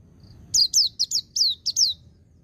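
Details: Six loud, clear downslurred whistles from a white-eye in ngecir sambung ngalas style, spaced evenly across about a second and a half, preceded by one soft note; intended for training untamed captive birds, low background hum.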